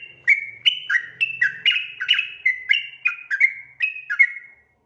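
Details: Sooty-headed bulbul in ropel song intended to make other bulbuls respond. Rapid clipped whistles, alternately high and dipping, tumble along for four seconds. A faint low hum is heard at the start.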